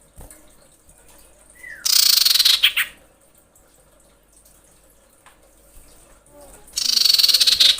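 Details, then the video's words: Female common iora in breeding condition calling males, with a short slurred note then a loud dry buzzy rattle about a second long, repeated after a pause of roughly four seconds. "SUARA SIRPU/CIPOH BETINA BIrahi memanggil jantan"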